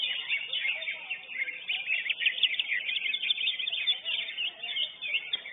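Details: Dense, continuous high warbling from a lesser green leafbird that won first place at a bird-singing competition, full of quick slurred whistles and chips with barely a gap.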